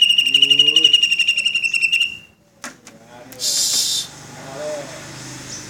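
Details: Cucak ijo, green leafbird, in the Cililin tembakan style: a fast, even, pulsing trill of bright high notes lasting about two seconds, followed by a couple of clicks and a burst of hissing noise.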